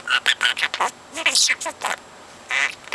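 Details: Parrot four months old talking constantly, copying overheard speech; a fast string of short clipped syllables followed by wavering voice-like phrases and a final burst.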